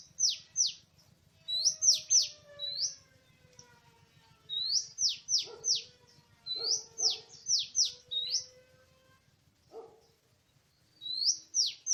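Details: Wild Oriental magpie-robin in a forest, recorded 24/03/2017 while birds were being trapped, delivering bursts of loud rising-and-falling whistled phrases in three or four groups with short silences between, over a faint steady low buzz.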